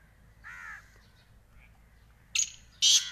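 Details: Black francolin (kala teetar) delivering two loud, rough, grating notes near the end, preceded by a single softer cawing call from another bird.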